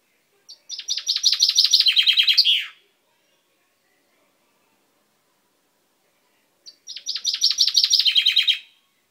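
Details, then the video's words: Pet chaffinch singing on 10 May 2012, its beak recently purple: two identical songs several seconds apart, each a fast cascade of falling notes descending in steps and closing with a downward flourish. "Mi pinzon cantando"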